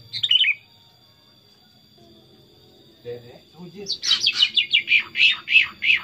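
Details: Tame, chatty pet sooty-headed bulbul singing: a bubbly whistled phrase, a pause with faint low notes, then a run of about ten quick, bright, slightly falling notes at roughly three per second, over a steady high electrical whine.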